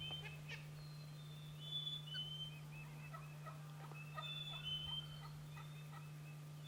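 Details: On an April spring hunting morning, a wild turkey (Meleagris gallopavo) gobbles twice, each a fast, rattling burst, with thin whistled songbird notes and a steady low hum behind.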